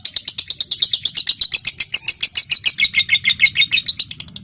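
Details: Lovebird chattering ngekek used to prompt other lovebirds into song: fast, steady high-pitched chips, about seven per second, some notes dipping slightly lower toward the end, with faint low background rumble.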